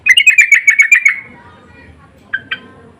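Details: Sooty-headed bulbul lure call with an insistent tone, answered by others: a run of about ten quick, bright chattering notes over one second, then two short, separate chip notes.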